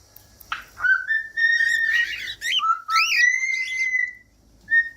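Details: Cockatiel song, with long whistled notes near the middle register that rise and slide gently. They are broken by brief chirps and a sharp upward-swept whistle, then end in one short whistle after a pause.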